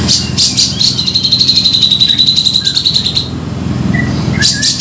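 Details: Lure call of a grey-cheeked bulbul for trapping: a few sharp chips, then a fast, even, buzzy rattle held at high pitch for over two seconds, followed by brief softer whistled notes and more chips.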